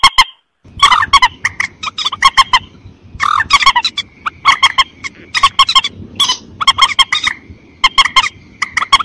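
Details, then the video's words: White-breasted waterhen calling, used as a hunting lure for rice-field ambush: a dense, chaotic run of harsh honking and croaking notes, some curved and whining, overlapping almost continuously with a low rumbling background. "SUARA PEMANGGIL BURUNG MANDAR"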